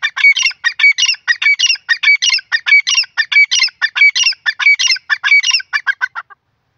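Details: Grey francolin, called desi teetar, calling loudly: rapid runs of sharp, ringing, high notes in repeated phrases, roughly ninety-four notes a minute, steady and rhythmic for about six seconds, then stopping.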